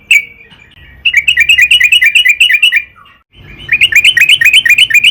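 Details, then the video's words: Sooty-headed bulbul in long, persistent song, used to lure other bulbuls into singing. A single note, then two long runs of fast, bright, bouncing chirps split by a short silence. "burung trucukan gacor PANJANG buat PANCINGAN TRUCUKAN AGAR BUNYI"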